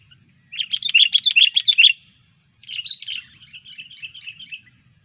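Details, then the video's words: Sooty-headed bulbul undergoing training delivers a fast string of about ten loud, ringing chirps, then after a short gap a quieter, fading run of trilled notes. "Ngelatih burung kutilang Cengkram"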